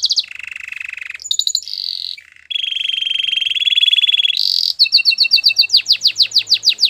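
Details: Belgian canary singing strongly: low buzzy rolls and a long steady rattling tour, a brief higher burst, then bright separated notes giving way to loud descending whistled sweeps.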